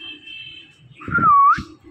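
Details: Indian ringneck parakeet imitating speech with one loud, smooth whistled syllable that sags then lifts, after a thin sustained tone and beside low thumping noise.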